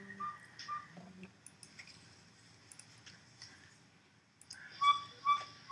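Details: Northern Saw-whet Owl of Wisconsin, a tiny owl with a very high-pitched, quiet call, gives a few short high whistled toots, broken off and resumed, with clicks and indoor room noise between. Northern Saw-whet Owl.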